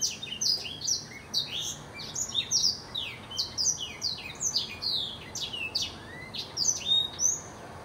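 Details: A long, busy run of blackthroat song: quick, high, varied notes, many sliding down in pitch, strung together almost without a break, with one lower rising whistle near the end.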